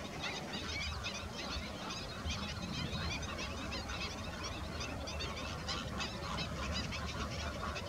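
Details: Greater flamingos (Phoenicopterus roseus) calling in a dense flock: a continuous din of overlapping goose-like honks and gabbling notes, with a steady low rumble beneath.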